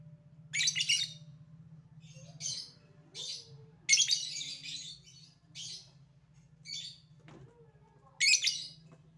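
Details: Lovebird calling, used to provoke other lovebirds into responding: harsh, buzzy, high chattering bursts of about half a second, spaced irregularly over nine seconds, against a steady low hum.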